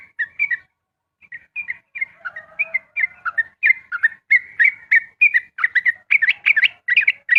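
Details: Yellow-vented bulbul (trucukan) giving rapid continuous ropel-style dawn song, played to test other birds' mettle: varied chirpy whistled phrases, sparse at first, then dense, quick repeated warbling notes rising and falling toward the end.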